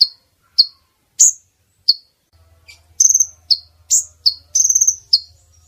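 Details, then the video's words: Female brown-throated sunbird calling, used as a lure for males to be caught: shrill chips, then rattling trills mixed with more chips over a low, steady hum. "Pemikat kolibri ninja jantan,||, suara konin betina!!"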